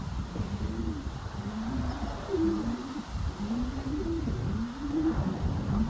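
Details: Racing pigeons (homers), a few birds together: low, throaty rolling coos, each arched note rising and falling, repeated in a steady series over a constant background rumble of wind or traffic noise.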